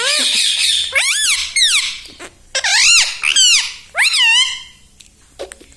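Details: Mimicking parrot kept as a pet, copying mummy, papa and radhe radhe: piercing arched syllables rising then falling, several in quick succession, then a quiet tail.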